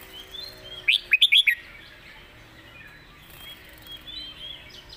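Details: Red-whiskered bulbul master song: one short burst of five clear, bouncy whistled notes near the one-second mark, then faint high twittering over a quiet background.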